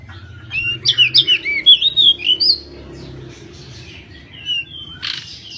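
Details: Pied bushchat, also known as kacer mini, singing in a lively tutor recording: a quick run of bright whistled notes, rising and falling and repeated about twice a second, then softer high twitters and a brief scratchy burst.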